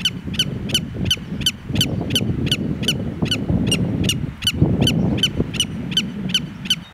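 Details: Willet alarm call on Long Beach in Plymouth aimed at an intruder: a steady run of short, sharp repeated notes over heavy low rumbling of wind or surf.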